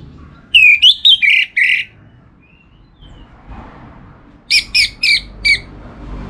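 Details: Caged Orange-headed thrush from Singaraja, northern Bali, gives two short series of rich, clipped whistled notes, the first more slurred, the second four evenly spaced sharp notes, with quiet background hiss.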